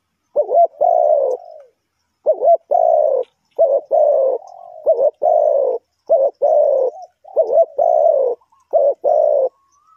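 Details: Trapping decoy, a spotted dove, cooing steadily in repeated phrases. Each phrase has a short bubbling double note followed by a long, deep, gently falling coo, about five phrases over ten seconds, with faint whistles in the gaps.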